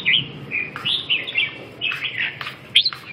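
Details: Red-whiskered bulbul producing continuous mellow, warbling whistles with short slurred notes and fluid pitch changes, sung closely and clearly over a soft background hiss.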